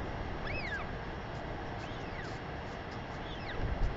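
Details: Northern royal albatross, an adult female on a New Zealand breeding colony, greets her chick with a sky call before feeding it, 28 March 2021, afternoon. Three arched, whistled notes rise then fall, over steady rushing wind.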